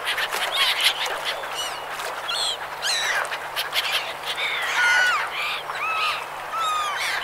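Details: A flock of gulls on a river calls over one another, with harsh, nasal, rising-and-falling mews and squeals that overlap almost constantly.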